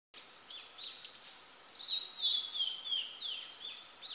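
A female blue-and-white flycatcher gives a high, thin run of slurred whistles that drift slowly downward, opening with a few sharp ticks, over a steady background hiss.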